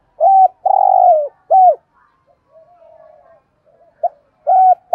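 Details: Decoy spotted dove cooing to lure other doves: a loud phrase of three hollow coos, the middle drawn out and falling, then soft murmured notes, and a new phrase starting after about four seconds.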